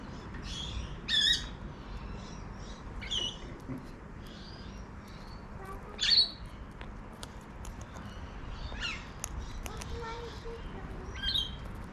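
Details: Wild cockatoo calling from a backyard in Adelaide, South Australia: scattered harsh squawks every few seconds, two much louder than the rest, among faint clicks and a quiet low background hum.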